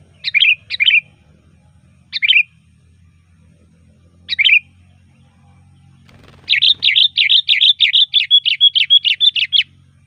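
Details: Sooty-headed bulbul, loud varied song used to call bulbuls: four short separate chirped notes spaced over six seconds, then a fast, even run of about fourteen bubbly notes.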